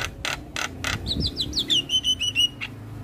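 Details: Morning song of a Javan myna, meant for young mynas to learn from: four harsh rasping bursts, then a series of short whistled slurs that flatten into clear, steady notes repeated rapidly, ending with one more rasp.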